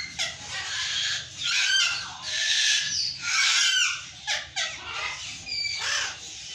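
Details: Burrowing parrots screaming together, a dense run of grating, overlapping squawks and downward-sliding shrieks, roughly one a second, harsh and broad.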